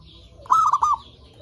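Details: Single zebra dove cooing phrase used to lure other zebra doves: a brief rising coo followed by two quick stuttering notes, lasting about half a second.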